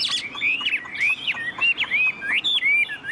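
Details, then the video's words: A very tame captive Chinese hwamei with a notably long song sings a loud, rich run of clear whistled phrases, rising and falling slurs repeated several times a second, bright and continuous. "Họa mi đẳng cấp, chim thuần, hót như 1 cái máy"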